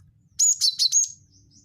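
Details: Cinereous tit lure call (gelatik batu wingko): a single tight run of four loud, high, ringing chip notes trailing into a thin fading whistle.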